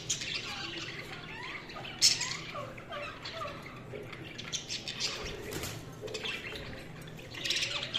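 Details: A flock of budgies giving mixed chirps, squawks and soft lower warbles, busy and irregular, with sharp loud bursts at the start and end and a constant background hum.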